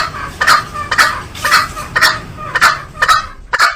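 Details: Green junglefowl uttering a steady series of raspy, clipped clucks roughly twice a second, strong and close, with little else audible.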